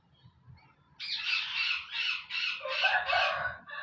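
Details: A caged male parrot, active and enjoying itself, gives a run of harsh, raspy squawks in quick succession, each broad and grating, after a second of quiet with low background rumble.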